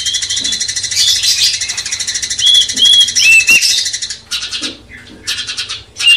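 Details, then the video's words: Cucak cungkok bulbul giving master song to provoke a magpie-robin, with short downslurred whistles and chattering notes over rapid pulsing buzz, then broken bursts of twitter toward the end. "Masteran cucak cungkok bangkitkan emosi kacer"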